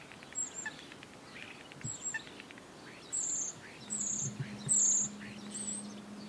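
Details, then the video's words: Common starling imitating coot and gull, giving short high squeaky and whistled notes spaced about a second apart over steady background noise and a low hum. "starling imitates coot and gull"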